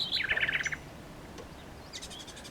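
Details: Nightingale song phrase: a loud, rapid string of about a dozen rhythmic notes in well under a second, then quiet, and a soft fluttering series to close.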